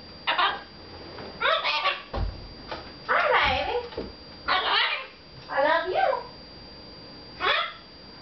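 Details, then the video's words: Pet red-fronted macaw talking to its owner indoors in six short, raspy, speech-like phrases about a second apart, with a quiet room behind it. "red fronted macaw talking"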